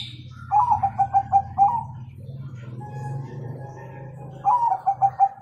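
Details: Zebra dove of the Bangkok type giving its 'kung' song as a master recording for young birds: two fast phrases of six rhythmic, mellow coos, with a low droning hum throughout.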